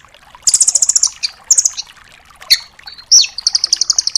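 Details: Rambatan doraemon, the red-billed velvet-fronted nuthatch, giving full 'tembakan' shots to tutor songbirds: fast runs of piercing high notes, a brief down-slurred whistle and a sharp chip, then another rapid trill.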